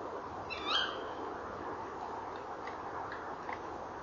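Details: Tawny owls at a nest box at 18:17 on 19 November 2013, with the male calling and trilling and the female answering: one sharp, harsh call, then a few faint short notes over a steady background hiss.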